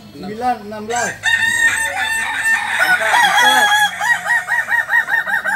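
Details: Balenggek roosters at a Sunday crowing contest, landiak class, in Ampang Kualo, Solok city, crowing in long multi-note phrases. The phrases end in a quick run of repeated short syllables, about four a second. Other roosters and faint voices overlap.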